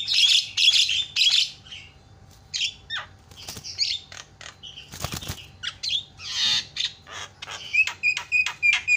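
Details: Javan myna calling to provoke other mynas: loud harsh rasping squawks in bursts, scattered clicks and buzzes, ending in quick repeated sharp whistled notes.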